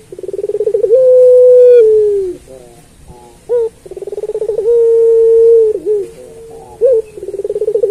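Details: Puter pelung turtle dove song, a recording meant for training other pelung doves: a quick pulsed trill runs into a long, steady, slightly falling coo, followed by short upturned notes. The phrase comes twice, with no other sounds.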